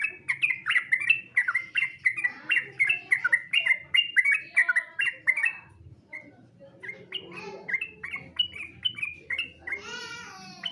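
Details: Yellow-vented bulbul competition song in a master recording: rapid series of short, bubbly, descending whistled phrases for about six seconds, a brief pause, then more chattering phrases ending in a harsher burst.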